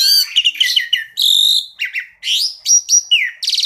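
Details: Full-variation masteran song of an Asian pied starling in the tembakan style: a quick series of buzzy rasps, clear whistles and a long flat whistle, ending in a rapid harmonic rattle.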